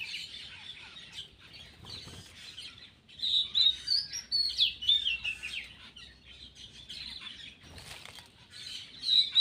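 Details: Black-winged myna, known locally as cucak keling, calling while eating: a busy stream of harsh chattering and squeaky whistled notes, irregular and dense, with rustling and occasional bursts of broadband noise throughout.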